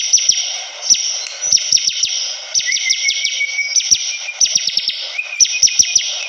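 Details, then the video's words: Bar-winged prinia (ciblek kristal) singing energetically: quick series of sharp, high downslurred chips in clusters, a brief thin rising whistle in the middle, over a steady high hiss. "Suara burung ciblek kristal || prenjak gacor"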